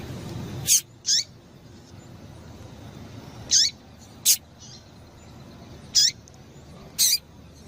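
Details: Female double-collared seedeater calls, used to stimulate males to sing. Three pairs of short, sharp, high chips sound at intervals of about two to three seconds. A low rumble and a faint steady hiss run underneath.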